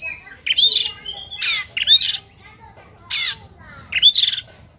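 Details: White-rumped shama, Sumatran type, in fighting mood with tail spread, giving a rough, aggressive song: harsh squawking bursts alternating with short sweeping whistles, roughly one phrase per second.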